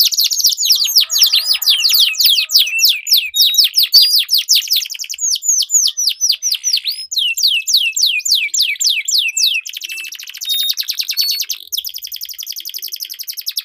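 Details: Canaries duelling with sweet, long rolls, used to train competition birds: quick repeated downward-sweeping notes in steady runs, shifting into dense buzzing trills and fine high rattles toward the end.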